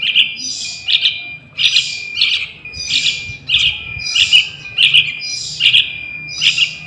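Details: Young sooty-headed bulbul calling, played as a lure for wild birds: bright chirps, mostly paired or tripled, repeated about every 0.7 seconds over a steady thin high tone that runs throughout.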